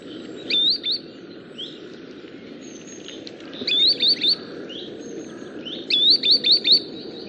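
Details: Green sandpiper giving clear, high whistled notes that always sweep upward, in irregular bursts of two to five; its irregular note count is typical of the species.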